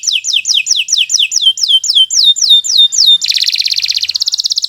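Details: Canary, Kenari Nusantara 173, delivering its master song for bird training: about a dozen ringing high downslurred whistles repeated in quick succession, followed by a dense, fast, buzzy trill.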